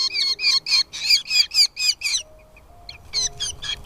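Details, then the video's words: Nestling falcons beg while their mother brings food. A burst of harsh, rhythmic, high squeals comes fast, then a short pause, then the squealing resumes. "mother birds brings food to feed her chicks in the nest, Falcon babies feeding"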